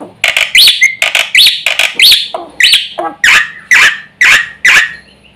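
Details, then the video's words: Javan pied starling singing loudly, a song said to provoke other birds; harsh, squeaky, sweeping chatter notes delivered in quick strong bursts roughly every half second. "jalak putih gacor full isian ini sekali bunyi bikin emosi burung sekampung"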